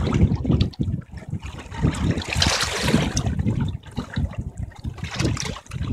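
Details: Water splashes and gurgles in uneven bursts with a low rumble, with no animal voice heard.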